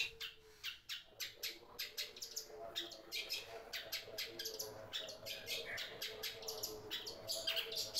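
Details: A long-tailed shrike kept as a house guard gives rapid, repeated harsh chattering notes, several per second with high scratchy bursts, sounding off as soon as someone arrives.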